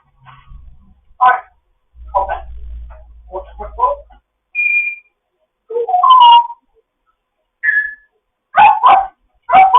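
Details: Grey parrot, a foster bird, chatting in the morning: a varied run of short harsh squawks and clipped syllables, a few clear whistled notes, and bursts of quick chatter, with brief gaps between calls.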